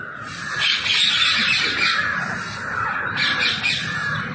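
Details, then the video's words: Rose-ringed parakeets in the wild at a feeding spot, a dense chorus of shrill screeching calls in two long bursts, with outdoor background noise. "Feeding wild parrots and thier natural and cute sounds"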